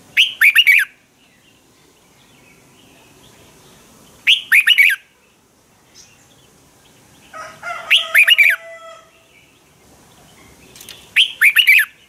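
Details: Red-whiskered bulbul performing its fighting song in the morning, used as a decoy to train birds and push them into full song. Four brief, loud phrases of rapid bright whistled notes repeat about every four seconds, with quiet gaps between.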